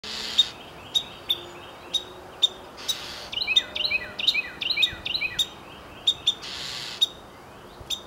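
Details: Wren singing: sharp high ticking notes at irregular intervals, broken by a quick rapid trill of chipping notes in the middle, over a soft background hiss.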